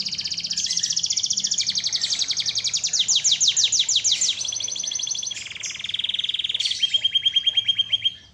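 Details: Canary singing steadily for a song-training recording: a long sequence of rapid high trills, each section shifting pitch and texture, from rattling to smoother rolling phrases, ending in a dry fast rattle.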